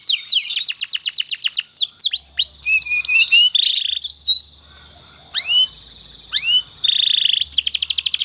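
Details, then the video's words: Canary master song used to train other canaries, with fast repeated descending notes, then varied sweeping whistles, buzzy trilled phrases and rising chips with short pauses between. "suara burung kenari Ini sangat ampuh buat masteran segala jenis burung kenari agar cepet gacor"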